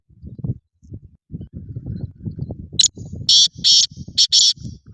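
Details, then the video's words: Black francolin call: a few loud, harsh, grating bursts clustered near the end, after a run of low, dull thumping and rustling noise. "کالا تیتر کی آواز"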